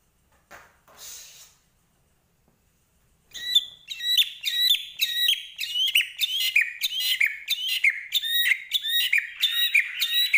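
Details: White-rumped shama from Medan singing hard with imitated phrases: after a quiet start, a fast run of bright repeated whistled notes, about one and a half per second.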